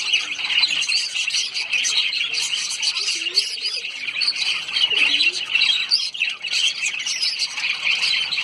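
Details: Lovebirds, small social parrots of the genus Agapornis, in Sayaji Baug garden, Vadodara, Gujarat, India: a dense, continuous high chatter of shrill chirps and squeaks from many birds at once, with occasional lower squawks.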